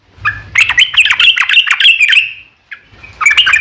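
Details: Yellow-vented bulbul in long rapid 'ropel' chattering song, used as a lure so other bulbuls answer; bright bubbly notes run continuously for two seconds, pause, then resume.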